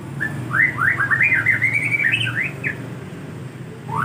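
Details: White-rumped shama song played as a lure so birds answer: a fast string of clear, rising and falling whistled notes for about three seconds over steady low background rumble.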